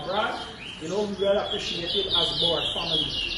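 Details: Chestnut-bellied seed finch (towa towa) whistling in a 2022 bird singing competition at Rosehall Town, Guyana: rapid high buzzy trills and sliding whistled notes, with men talking loudly close by.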